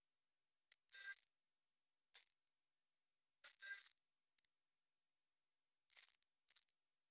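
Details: Six separate mechanical camera shutter clicks, some single and some double, sound in a quiet room with no animal voice between them.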